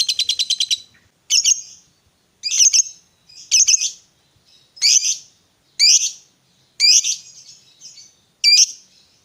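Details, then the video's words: Fighter-type lovebird, used as a lure to prompt a quiet lovebird to sing: a fast burst of shrill ticking notes, then seven squeaky, harsh chirps roughly once a second, all high-pitched and clean. "Pancingan Suara Lovebird Gacor Fighter"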